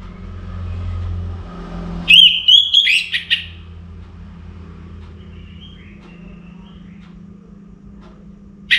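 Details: Pre-dawn song of an orange-headed thrush: a quick run of high, wavering whistled notes over a low vehicle-like rumble, followed by quiet gaps and a final brief note.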